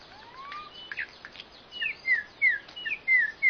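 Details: Songbird giving a rising whistled sweep, then a run of short slurred whistles that drop in pitch, repeated several times and growing louder toward the end.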